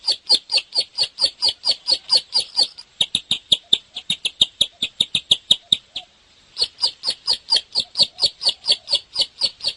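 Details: Bar-winged prinia in full song, alternating rapid strident chirps with a stretch of crisper, clicking high notes, then a brief pause before the chirping returns.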